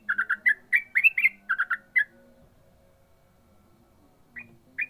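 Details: Yellow-vented bulbul giving a ropel burst: two quick phrases of bubbly clustered notes and rising whistles within two seconds, then near silence with low background murmur and two lone chirps at the end.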